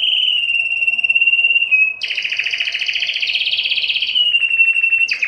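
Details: Singing Belgian canary, played to stimulate females for breeding: a steady whistled trill, then a dense, harsh rolling trill, then a lower clear trill and a quick high note.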